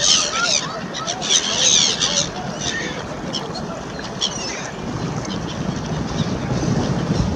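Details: A milling throng of Black-headed Gulls outside a funfair restaurant, hoping for scraps from people's snacks, gives harsh, high, squealing calls in quick overlapping bursts, busiest in the first two seconds, over a low rumble and possible voices.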